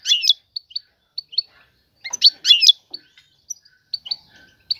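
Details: European goldfinch female calling the male to mate and stir him to sing; clear high chirps, a loud twittering burst in the middle, then spaced single notes.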